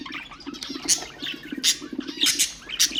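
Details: Budgerigar chatter used to stimulate other birds: sharp high squeaks and squawks roughly every half second over soft, fast twittering and a low steady hum.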